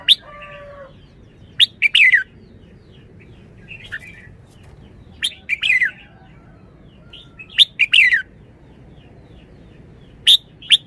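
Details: Red-whiskered bulbul repeating short, loud, liquid whistled phrases of two or three quick notes about every three seconds, with soft chirps between and a faint steady tone at the start.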